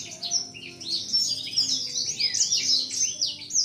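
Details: Young male blacksang, seven months old and kept caged, spreading its wings at a female; sharp high chirps and whistled slurs run together in a bright, rapid phrase.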